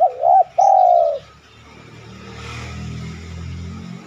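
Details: Single spotted dove coo from a lure recording for other doves: a wavy two-part opening and a long smooth coo. A low background murmur follows.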